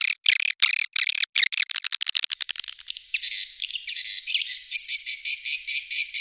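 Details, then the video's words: Swiftlet lure call for attracting swiftlets: the first half is rapid bursts of buzzy chirps broken by short gaps, then it shifts into a steadier, dense high twitter with pulses close together. "Suara burung walet panggil"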